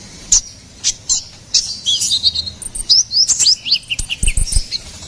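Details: Ruby-cheeked sunbird song for luring and tutoring songbirds: spaced sharp chips, then a run of squeaky upslurred notes repeated in quick succession. A few soft low thumps sound near the end.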